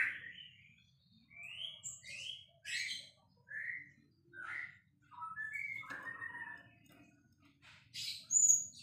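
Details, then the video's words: White-rumped shama, a singing bird kept as a champion songbird, singing a series of short clear whistled phrases, rising and falling, spaced by brief pauses, ending with a sharp high whistle over a faint low hum. "relaxing Bird sounds murai gacor juara"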